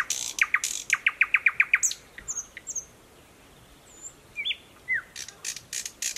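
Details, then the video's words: Thrush nightingale, recently arrived, singing from dense thickets beside a stream in the Mogilev district of Belarus on 11 May 2021: a run of about eight loud repeated notes, then short whistled slurs and scattered clicks. "Поет восточный соловей."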